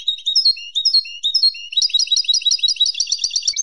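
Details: Song of a European goldfinch for novices learning to sing: sliding whistled notes repeated, then a dense, rapid tinkling twitter of high chirps continuing to the end.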